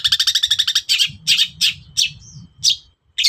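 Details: Long-tailed shrike singing in the morning, used as a lure to provoke other birds into answering: a fast run of about ten harsh, scratchy chattering notes, then several rougher buzzy bursts and one short thin whistle, over a low background hum.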